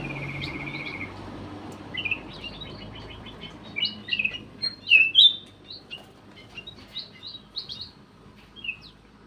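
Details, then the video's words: Lure call of a black-crested bulbul: after a soft trilled opening, quick sharp chirps and upslurred whistles come in lively bursts, then taper off into sparse notes over a low hum. "SUARA PIKAT KUTILANG EMAS"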